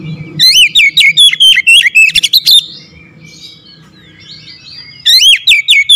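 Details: Loud, rapid strings of bright whistled notes open and close the recording of this oriental magpie-robin, a kept bird described as reluctant to sing, with soft twittering and a low hum in between.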